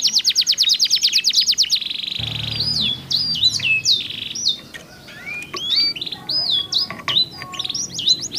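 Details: Two canaries answering each other, to encourage silent canaries to sing: fast even trill at first, then a buzzy flat tone, followed by varied swooping and rising whistles with short gaps.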